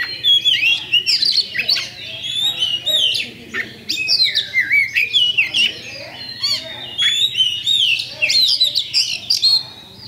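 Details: Oriental magpie-robin lure song from a champion kacer, aimed at provoking other birds to fight: rapid, energetic run of sharp upswept and downswept whistles and chattering notes, almost continuous for ten seconds.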